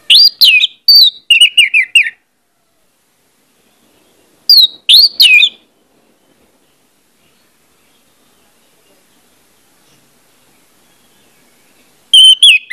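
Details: Orange-headed thrush song meant to make other birds sing quickly: quick strings of descending whistled notes, a short two-note phrase after a pause, and a new phrase beginning near the end.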